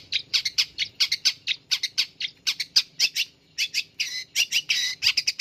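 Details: Caged long-tailed shrike singing once its cage cover is opened; harsh, clipped, mid-high notes repeated rapidly, about four or five a second, with a brief pause near the middle.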